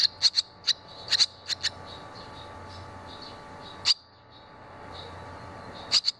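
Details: Barn swallow chicks at the nest as young begin leaving it, two having already left and one flying back soon after; sharp high chirps in short clusters, loud then quiet stretches, with a faint low hum beneath.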